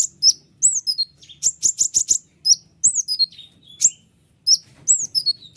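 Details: Training song of a white-winged triller: high falling whistles, then a fast run of five buzzy trill notes, then more descending whistled phrases, crisp and loud.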